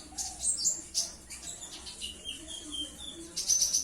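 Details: Purple-throated sunbird: thin, very high chirps and sharp squeaky notes come in quick bursts, with a run of softer whistled notes at a lower pitch through the middle and a bright high flourish near the end.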